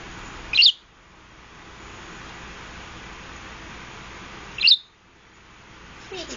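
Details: A green pet parakeet (budgerigar) chirping: two short, sharp, high chirps about four seconds apart, each rising quickly, over a steady background hiss.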